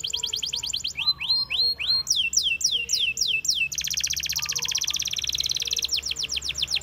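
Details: Canaries singing in the wild: a fast high trill opens, then a run of rising whistled slurs and a series of downward-sweeping notes, ending in a long dense buzzing rattle and another quick sweep series.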